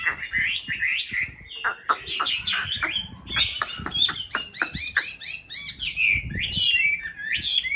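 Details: Chinese hwamei, white form, from a breeding pair housed in a mountain-town conservation aviary, pouring out dense, loud song of slurred whistles and rapid downward-sweeping notes, phrases tumbling together almost without pause.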